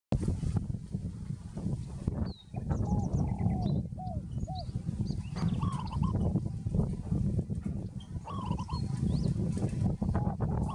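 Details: Peaceful dove giving soft, slightly rising cooing notes at intervals over steady low rumbling background noise, with scattered high chirps from other birds.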